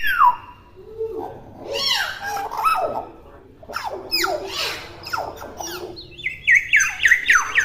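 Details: Chattering young common hill myna, still in its natural voice and unable to talk, with a jumble of harsh squeaks and squeals, then a rapid series of short falling whistled notes at the end.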